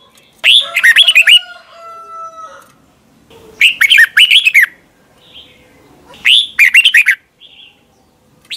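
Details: Red-whiskered bulbul song from Thailand, played for caged birds to copy: three bright, rapid warbled phrases of about a second each, rolling up and down in pitch and repeating roughly every three seconds, with faint chirps between them.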